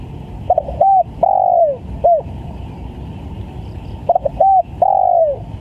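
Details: Spotted dove lure call for bird trapping, a cooing phrase of quick stuttering notes followed by a long falling coo, given twice about three seconds apart over steady low-pitched background noise.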